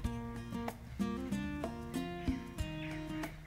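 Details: Strummed and plucked acoustic guitar music with a steady beat; no animal voices can be heard.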